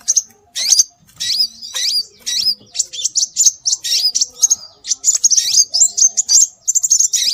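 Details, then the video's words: A nearly continuous stream of shrill, high scarlet minivet notes, some slurred upward, repeated rapidly as a lure to attract birds, with faint low sounds underneath. "Suara Burung Sepah Raja"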